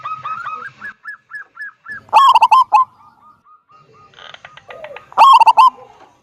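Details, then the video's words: Active local zebra dove, 'kung' song used to draw other doves into singing. Starts with evenly spaced soft repeated notes, then two loud bursts of rapid rolling coos about three seconds apart. "Perkutut lokal gacor suara besar - SUARA KUNG"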